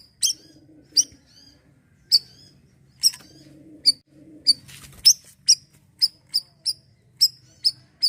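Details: Asian glossy starling giving siri-siri style song meant for young birds to learn: piercing high chirps, irregular at first, then quickening into a run of evenly spaced notes, with soft low cooing and a brief rustling burst behind.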